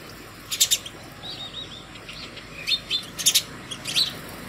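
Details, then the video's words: House sparrows calling other sparrows to food early in the morning at a home hanging bird feeder; bright, sharp chirps in two quick clusters near the start and again after three seconds, with softer twittering between. "Sparrow Bird Call other Sparrows for Food in the morning"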